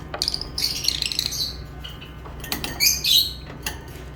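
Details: Lovebirds chirping: sharp, high squeaky chirps and harsh squawks in irregular bursts, with a few metallic clicks, over a steady low hum.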